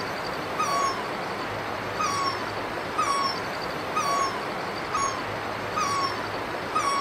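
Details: A Great Barbet in Himachal Pradesh, India, gives mournful, slightly falling wailing notes, repeated roughly once a second, over a steady hiss of insects and background noise.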